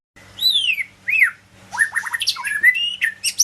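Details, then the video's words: White-rumped shama of the Medan type singing: rich, varied whistled phrases, some sliding downward, others short and rising, with bursts of high chattering notes, over a faint steady low hum. "kicau murai medan"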